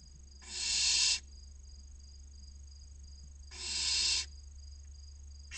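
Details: Barn owl chicks, six of them aged 16 to 29 days, inside a nest box in Cabañeros National Park, Castilla-La Mancha, Spain, waiting for food: two harsh, broadband hissing snores under a second long, a third starting at the end, with quiet gaps between.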